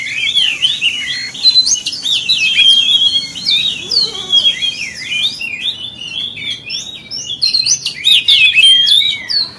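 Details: Lure song of an Oriental magpie-robin, meant to provoke rival magpie-robins: continuous rich, high whistled phrases with quick rising and falling slurs and chattery notes, delivered almost without break over a low background hiss.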